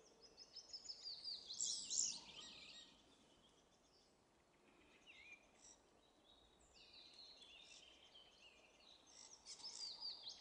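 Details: Song thrush (Turdus philomelos) singing on 2 April 2016 in Zabrzeg forest district, Bielsko, southern Poland: bright, high, varied phrases in short bursts with pauses, somewhat distant over a soft outdoor hiss.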